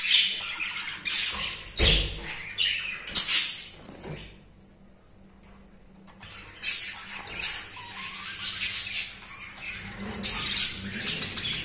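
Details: Highly excited male budgerigar mating with a female for the first time: dense scratchy high warbling and chatter in bursts, a quieter pause near five seconds, then more chattering, with some thumps and rustling.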